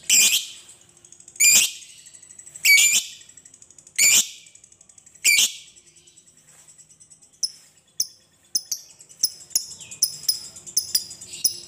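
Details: Lovebird ngekek panjang for luring other lovebirds into song: loud harsh shrieks roughly every 1.3 seconds with faint rattling between them, then a run of quicker, softer high chips.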